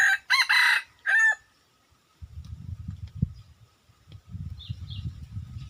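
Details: Wild red junglefowl rooster crowing: one loud, harsh, multi-part crow with broken harmonic syllables fills the first second, followed by low rumbling background noise and faint high chirps.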